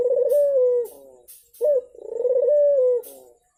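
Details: Lure recording of a turtle dove to prompt a silent bird to sing: two low purring coos, each a brief note leading into a sustained even tone, with faint dry clicks in the background.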